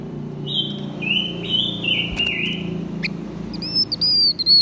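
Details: Blue-winged minla, male and female, giving a decoy song to provoke wild birds: a string of clear, level whistles stepping down in pitch, then a sharp rising note and a higher, sustained whistle near the end over a low hum.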